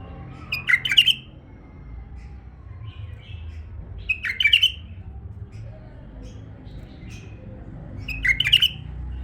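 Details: Tame male bulbul singing three short, bright warbled phrases spaced roughly every three and a half seconds, with faint soft notes between and a low background hum.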